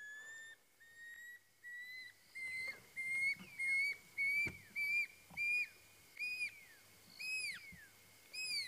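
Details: Pearl-spotted Owlet at sunset in Djuma Game Reserve, one of one or two territorial birds calling to each other, whistles a long series of clear notes building in loudness, then downslurred 'peeu' whistles about two per second.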